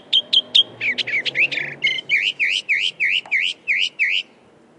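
A northern mockingbird sings bright, high phrases: three sharp chips, a burst of buzzy notes, then a swooping whistle repeated about eight times in quick succession.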